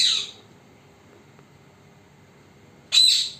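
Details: Parrot, recorded secretly to stay unnoticed, giving two loud rasping screeches nearly three seconds apart, with quiet between.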